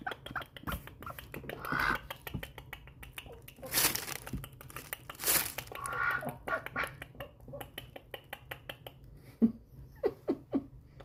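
Ducks give soft, breathy squeaks and a couple of loud hissing bursts, with a steady patter of clicks and taps and a few sharper squeaks near the end.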